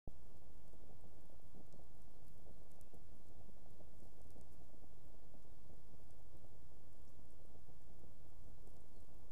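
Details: Steady broadband hiss like heavy rain, with dense low rumbling and no animal calls.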